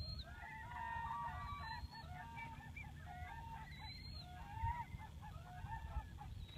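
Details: Wild whooping cranes at Aransas National Wildlife Refuge, Texas, give loud, overlapping honking calls that rise and fall in a steady chorus, over a constant low rumble of wind.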